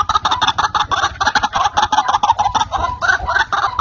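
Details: White-breasted waterhen calling, recording used as a lure for trapping: a dense, fast run of harsh, croaking notes, uneven in timing, overlapping into a continuous raucous chatter with a low rumble beneath.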